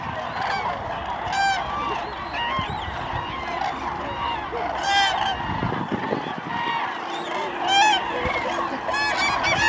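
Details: Many common cranes at Lake Hornborga calling at once: ringing, rolling trumpet notes crowd together, with a few clearer calls standing out above the flock.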